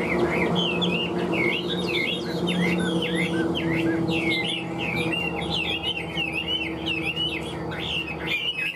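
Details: Caged Hwamei, a bird prized for its singing and fighting, repeats jerky up-and-down whistled figures in a steady stream, with a low tonal hum throughout.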